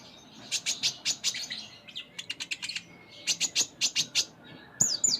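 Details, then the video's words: Kolibri ninja (konin) singing its filled 'full isian' song: buzzy high chirp runs, a rapid twittering trill in the middle, another chirping series and a final sharp whistled note. "Konin Gacor Full Isian"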